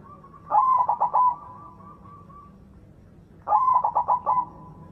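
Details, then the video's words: A white zebra dove with a loud voice, used to prompt silent doves to sing, gives two bursts of song, a soft rising note then five rolling bubbly coos, about three seconds apart. "PERKUTUT PUTIH GACOR SUARA BESAR"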